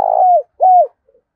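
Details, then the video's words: Spotted dove decoy cooing, used to stimulate wild birds: two clear, low, hollow coos, each held steady then dropping at the end, separated by a short pause, with a faint third note after. "tiếng cu gáy kích bổi siêu nhạy gáy hiệu quả nhất hiện nay"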